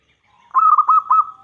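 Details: Local Indonesian zebra dove with a big voice, singing as a lure for other doves: a single rolling coo phrase of several quick, even, throaty notes that trails off into a level hum.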